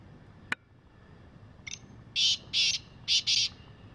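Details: Wild black francolin calling: after a sharp click, a harsh grating phrase of four loud rasping notes in two quick pairs, against a quiet background.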